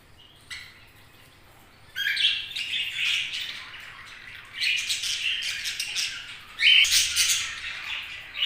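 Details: Near-silence for two seconds, then budgerigars break into raspy chirping chatter with a louder burst and a brief whistled note near seven seconds.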